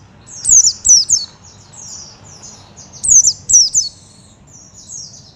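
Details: Oriental white-eye giving thin, very high, fast chirping phrases in two clusters, each of quick downward-slurred notes trailing into softer twitters.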